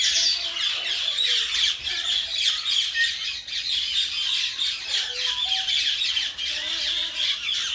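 A tame common myna gives harsh, rasping squawks mixed with short tonal whistles and gurgles in an uneven, chattering stream with no steady rhythm.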